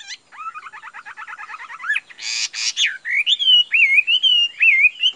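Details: Chinese hwamei kept in a cage sings a fast string of repeated upslurred notes, breaks into a brief harsh rasping burst, then flows into rich, wavering whistled phrases that loop up and down.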